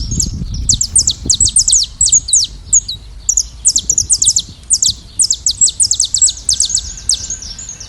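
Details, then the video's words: Saffron finches flocking in nature sing continuously: crowded, repeated high downslurred chirps and trills, lively and overlapping, with some low background rumble at the start. "canário da terra livre e cantando na natureza em rebanho"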